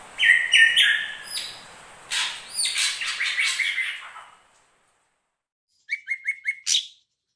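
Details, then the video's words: Drongo song blending crested and ashy drongos: falling whistles and raspy buzzes, a pause of silence, then five quick short notes in a rapid even series. "kombinasi kicau srigunting krantil jambul dan srigunting abu abu"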